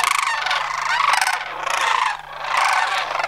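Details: Migrating sandhill cranes at Homer, September 2009. Two long rattling, rolling bugles with a short dip between them, harsh and trilled, from birds calling close together.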